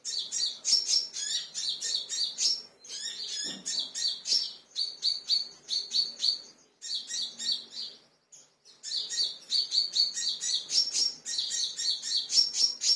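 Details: Kingfisher calling angrily in response to a lure sound: fast runs of piercing, high, chattering notes in long bursts, a brief silence near the middle, then the rapid chatter resumes.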